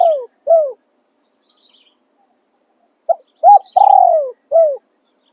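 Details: Decoy spotted dove giving its calling and tossing crow: two short falling coos end one phrase, then after a pause a full phrase follows, a brief note, a hooked coo, a long descending coo and a short final coo.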